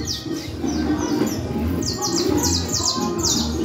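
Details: Canario criollo (saffron finch) singing during a cruzeta contest in Manhattan, kept in a fibre cage: bursts of high, fast descending chirps in short repeated runs, over constant crowd chatter and men's voices talking nearby.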